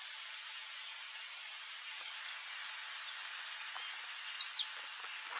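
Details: Wild, free-living saffron finch (Sicalis flaveola) giving a burst of rapid high chips and short slurred notes, building into a dense phrase near the end, with a constant high-pitched background hiss.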